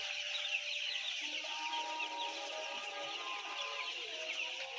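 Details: High, busy peeping from about 10000 white chicks, overlapping endlessly, with some lower sustained calls beneath the chorus.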